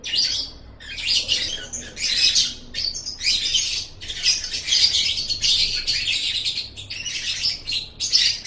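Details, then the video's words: Lovebird vocalizing for a tutor recording meant to build a pet bird's confidence and voice: dense bursts of harsh, noisy chattering squeaks in repeated blocks lasting about a second, with brief gaps between. "Masteran Suara Burung Love Bird 7"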